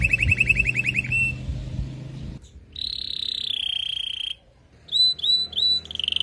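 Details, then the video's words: Female canary calling to rouse and ready a male after the moult. A quick rattling trill comes first, then a long level whistled note, and a series of sharp upward-flicking whistles, over a low background hum. "نداء انثى الكناري لتجهيز وتحفيز ذكر الكناري بعد غيار الريش"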